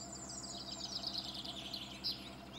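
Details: A pair of citril finches at their high-mountain breeding area at Puerto de la Ragua, Granada, Spain, feeding on seeds early in the morning on 23 May 2020, give a run of high, thin twittering chirps in quick succession, with a slightly louder note near the end, over a soft outdoor hiss.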